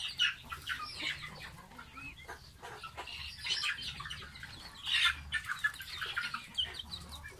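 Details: Young pet domestic goose at bath time giving a run of high, thin, wavering peeps, some rising and some falling, repeated irregularly, with one louder cluster near the middle and a low background hum.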